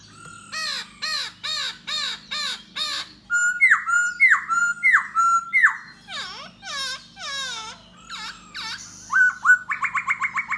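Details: Singing and dancing to attract a female, a Da Bò laughingthrush gives a run of harsh arched notes, then a series of loud down-slurred whistles and varied swooping phrases, with a constant low background hum.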